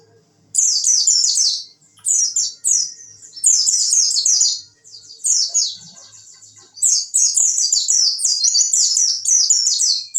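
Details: Tutor song of an oriental white-eye for training contest birds, the 'wit wit' style: several fast bursts of shrill, varied chirps and trills, each one to two seconds long, separated by short pauses.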